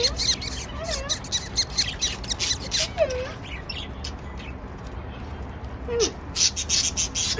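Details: Pet budgerigars in a happy mood give quick bright chirps and short rising and falling warbled notes, repeated in busy bursts with brief pauses.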